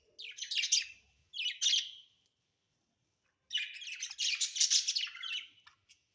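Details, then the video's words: Pet budgerigars at home give bursts of rapid, scratchy, buzzy warbling chatter, two short phrases then a longer run after a pause. "Budgies ❣️"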